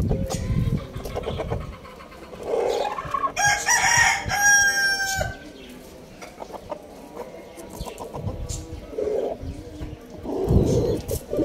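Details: Rooster crowing in the morning: a loud, harsh, drawn-out crow in the middle, with hoarse clucks and scattered bird chirps before and after.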